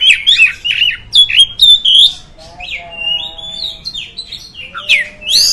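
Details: Oriental magpie-robin song used to provoke other magpie-robins, quick bending whistled phrases at first, then softer, drawn-out tones and faint lower notes, ending with a sharp rising whistle.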